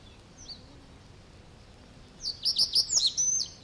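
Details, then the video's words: Reed Bunting song from the reed beds of Matsalu: after a quiet pause with a faint distant note, a quick phrase of several bright, high chips rises and ends in a short trill-like flourish. "Reed Bunting"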